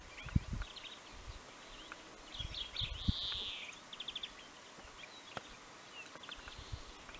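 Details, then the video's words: Pine grosbeak in March 2023 at Neljän Tuulen Tupa, Finland: short chirps lead into a single loud, smooth whistle, followed by a quick stuttering series of notes; intermittent low thuds and handling noise. "Pine Grosbeak"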